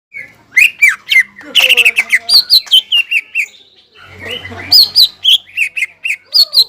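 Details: Greater green leafbird with a crested, lively song, used to stir up stressed leafbirds that have stopped singing; loud rapid chirps and slurred whistles around two to four kilohertz-high pitch, in bursts with a short pause midway.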